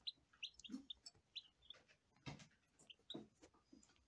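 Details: A quick string of high peeps opens, from lavender Ameraucana chicks on their first day, followed by scattered chirps among rustling and a dull thud.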